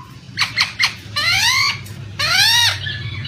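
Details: Poksay (laughingthrush) lure sound: three quick sharp notes followed by two long harsh, nasal squawks, over a constant wash of running water.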